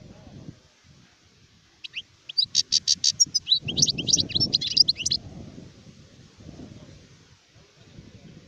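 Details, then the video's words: Adult European goldfinch (sharif) giving a short burst of about three seconds of rapid, evenly spaced chirps and twitters, surrounded by quieter background noise. "تغريد حسون كهل (شارف)"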